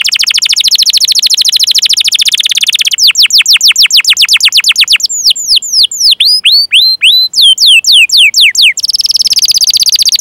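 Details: Canary song used as a training recording to prompt other canaries, young or silent ones, to sing: fast trills, then a run of sweeping downward whistles and looping chirps, closing in a dense buzzy roll.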